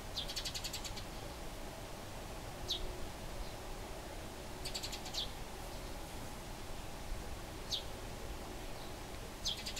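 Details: Eurasian tree sparrows fighting near Bolesławiec, Lower Silesia, Poland, give quick bursts of sharp, high chirps roughly every two to three seconds, over a steady low rumble of background noise.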